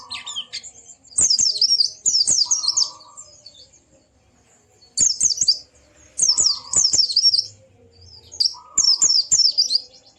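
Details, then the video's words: White-eye song aimed at getting a silent bird to sing: energetic high zigzag twitters in bursts roughly a second long, repeated after pauses, with brief buzzy lower notes between them. "Burung Pleci macet pasti langsung ikut ngalas dan buka paruh"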